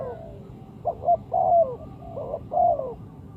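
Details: Spotted dove call used as a lure for trapping birds: a short run of soft, mellow coos, each note ending in a slight downward slur, about five notes in just over two seconds.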